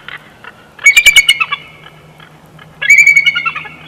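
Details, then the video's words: Bald eagle at the Big Bear Valley nest, June 2021: a loud bout of high, chattering squeals with rapid staccato notes over a thin sustained whistle, pausing, then a second burst. "Big Bear Eagles🦅6 1/2 Hours Of Jackie Zen☮Silent Yet Deadly PS🚻Wingslap At Raven&Chortles🎶2021-06-12"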